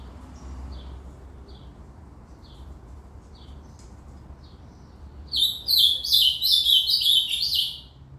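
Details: Ultramarine grosbeak (reinamora) in cantoria singing: several soft, evenly spaced short call notes about every half second, then a loud burst of quick, tumbling warbled whistles lasting roughly two and a half seconds.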